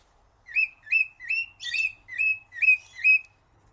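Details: Bird singing: seven short bright whistled notes, each with a quick upward slur, repeated about every half second and evenly spaced, against a quiet background.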